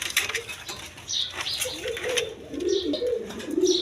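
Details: Coloured pigeons, local and foreign types, kept indoors: repeated low rolling coos about once a second, several birds overlapping, with brief wing flaps and soft higher squeaks between.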